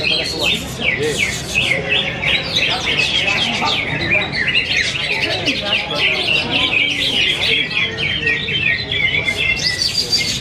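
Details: A competition-winning greater green leafbird from Sleman, at a songbird contest in Yogyakarta, pours out a fast, varied stream of high chattering and whistled phrases, amid many other caged birds singing and faint voices.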